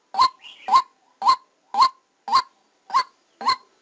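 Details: Decoy white-breasted waterhen, recorded live while trapping: seven loud, clipped notes that rise briefly at the start, spaced about half a second apart, with a soft slurred sound after the first note.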